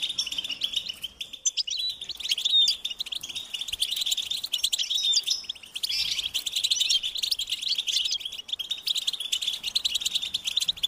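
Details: Several European goldfinch chicks beg their parents for food with a dense, unbroken stream of shrill, rapid chirps. The calls are high and insistent, with brief dips in intensity.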